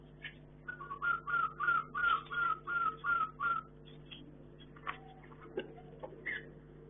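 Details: Chinese hwamei in a hanging breeding cage whistles a clear note repeated about eight times in quick even succession, followed by scattered softer notes, with a background hum.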